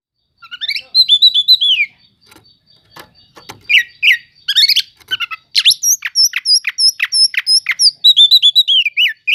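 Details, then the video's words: Oriental magpie-robin song used as a lure to provoke sluggish magpie-robins: loud, varied whistled phrases, rising and falling slurs, then rapid sharp repeated notes and high buzzy chips, with brief pauses between bursts. "Pancingan untuk burung kacer yang lambat emosi.setelah dengar kicauan kacer cele'ngan ini"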